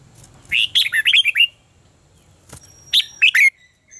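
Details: Red-whiskered bulbul in competitive contest singing, used as lure sounds to train birds: two bursts of bright, warbled three- to six-note phrases, the first longer and rolling, the second short and ending in a rising whistle.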